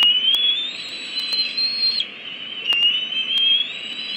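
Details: Bald eagle nest with two eaglets about 54 and 53 days old, greeting the adult female aggressively as she arrives with a stick instead of food: continuous high thin whistled piping, wavering and rising, with brief breaks.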